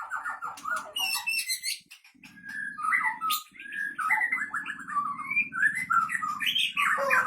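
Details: Aceh Leuser white-rumped shama, wild-caught in 2013 at Pining, Gayo Lues, delivering long, fierce fills typical of local Leuser birds: varied rapid whistles, rattling trills and sweeping slurred phrases over a continuous low buzzing drone.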